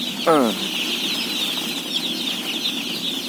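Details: Day-old chicks at feeding among a flock of roughly 17,000 keep up a high steady peeping, opened by one short loud buzzy lower sound at the start.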